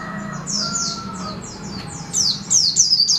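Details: White-eye singing a series of high, sharply falling chirps, each swept downward and repeated about three times a second, growing louder and faster toward the end; a steady low hum runs underneath.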